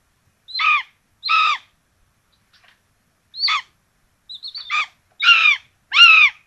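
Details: Common buzzards with two chicks at their nest in Tiszalök, Hungary, 26 June 2022, being fed rabbit; harsh grating calls repeated roughly every second in irregular bursts, one preceded by quick thin wavering notes.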